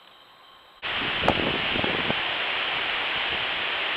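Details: After a near-silent start, a sudden steady hiss sets in with a few rustles and knocks, and no animal sound.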